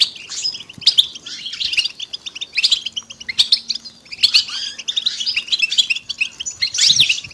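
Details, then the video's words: European goldfinches in a group chorus of mating and readiness calls meant to stimulate males to sing; continuous bright twittering and trilled chirps, overlapping voices in surging bursts, a faint steady low hum in the middle. "بتبتة وستستة الحسون علاج صمت الحسون بتبتة حسون جماعية تساعد على التغريد"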